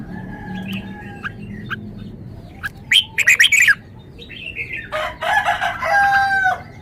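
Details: A caged red-whiskered bulbul shows off its song phrases: scattered thin chirps, then a quick cluster of sharp whistled notes around three seconds and a longer, fuller warbling phrase from five seconds on.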